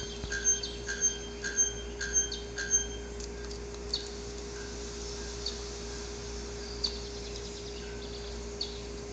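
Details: Male araponga (bare-throated bellbird) in the wild, singing its courtship ritual song to draw females, anvil-like ringing strokes: about six loud metallic clanks in the first three seconds, then only sparse quieter notes over a constant hum.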